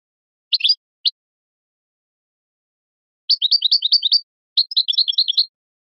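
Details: Goldfinch singing high, liquid twitters. A few isolated chirps open, then after a pause come two longer bursts of rapid repeated notes. Clean, noise-free background.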